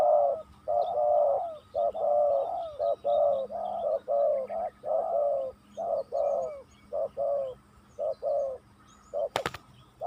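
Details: Spotted dove calling during luring, meeting a tough wild opponent; long series of mellow, throaty coos in rhythmic phrases, short hoots alternating with drawn-out rolling notes, and a sharp click near the end.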